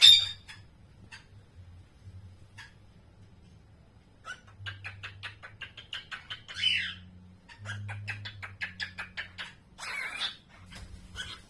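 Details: Cockatiel (Nymphicus hollandicus) practising its song: rapid clicking chatter and short warbled phrases.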